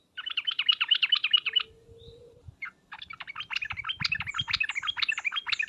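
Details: Sooty-headed bulbul giving a rapid ngriwek uplik uplik calling sequence, used as a lure that makes other bulbuls answer at once: a fast burst of sharp, even chirps, a short pause with a faint low tone, then a long, steady run of chattering notes.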